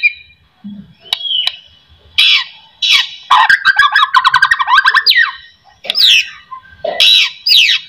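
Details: White-rumped shama song played to make other shamas sing: scattered harsh bursts, a fast rattling trill, and sharp rising whistles.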